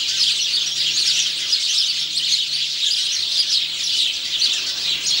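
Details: Recorded 17 November 2009, a male house sparrow sings with rapid, overlapping high chirps forming a constant bright chatter, over a faint low hum.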